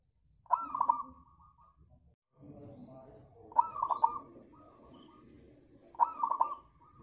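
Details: Local zebra dove song used as a lure to get other birds singing: three bursts of soft cooing, each a sharp opening note followed by quick rolling trilled coos, about every three seconds, with low background murmur.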